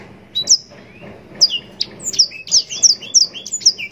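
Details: Yellow-rumped serin (blackthroat) mastering song. After a hesitant start it speeds into a quick series of bright, high, sharply inflected whistles, nearly evenly spaced.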